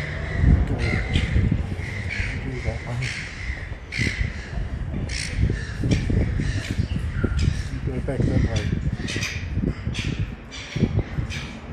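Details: Juvenile Silver Gull, very young, on foot in a city shopping mall in Ballarat, Victoria, Australia; hoarse, grating squawks repeat throughout over heavy low rumbling and thumping town noise.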